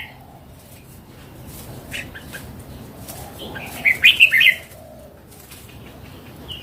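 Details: Wild, mature Red-whiskered bulbul gives a single quick phrase of several liquid, chirruping notes near the middle. Quiet background with scattered soft bird chirps and a faint high note at the end.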